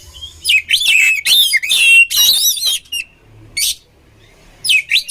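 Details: Oriental magpie-robin song used in training birds: dense buzzy, trilled whistles in long bursts, then a quiet gap with faint low hum before a few more sharp notes.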